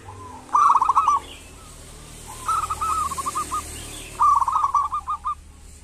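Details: Local zebra dove calling as a lure for lazy doves: three separate phrases, each a fast cluster of hollow coos that slows into spaced, fading notes, with quiet background hiss between them.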